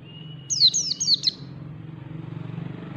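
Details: White-eye singing in the style known locally as ngalas: a short run of four sharp, high, downward-slurred chirps in under a second, preceded by a faint thin whistle, over a steady low hum.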